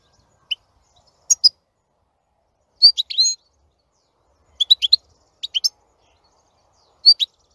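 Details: Scattered short high chirps and twittering fragments from a European goldfinch, coming in small clusters separated by brief quiet gaps.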